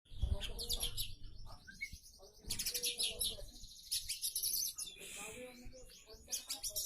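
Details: Oriental magpie-robin song, rich and varied: bursts of high whistled and buzzy phrases with rapid trills, separated by short pauses, plus some low background rumble and faint clatter.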